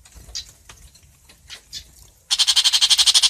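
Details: A long-tailed shrike calls to gather its flock. A few faint scratchy notes lead into a loud, grating chatter of about fifteen quick, evenly spaced harsh pulses.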